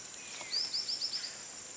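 White-lored Tyrannulet giving a quick series of six thin, very high chipped notes in under a second, over a steady high insect hiss.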